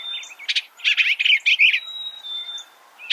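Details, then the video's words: Eastern bluebird producing a brief jumble of soft warbled notes, backed by a faint steady high tone and light background hiss. "Suara Burung Eastern Bluebird - Eastern Bluebird Bird Sound"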